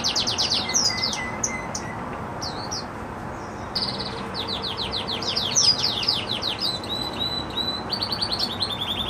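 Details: A Red Agate canary sings happily in varied phrases: scattered high notes and a lower buzzy tone, then dense fast trills of falling notes easing into a steady lower rattle.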